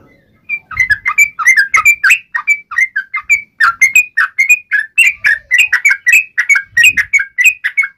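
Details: Yellow-vented bulbul fighting song in ngalas uplik ropel style, used to provoke other birds into replying. Rapid, unbroken bubbly chatter of short rising and falling notes, with faint low thumps in the background.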